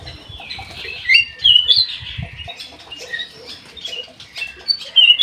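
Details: Aviary-kept Black-naped oriole in full, lively song: a run of squeaky chirps and thin whistled slides, harsh squawky notes scattered throughout, loudest bursts around one and five seconds, faint low tapping early on.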